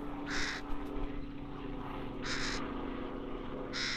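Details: Harsh, buzzy calls from a young crow in Leipzig's Rosental, three grating bursts spaced about one and a half seconds apart against continuous low rumble.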